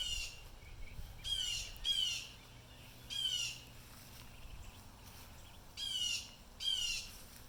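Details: Wild blue jays giving distress alarm calls, disturbed by something unseen: five harsh, buzzy, descending screams, some in quick pairs, over a quiet outdoor background.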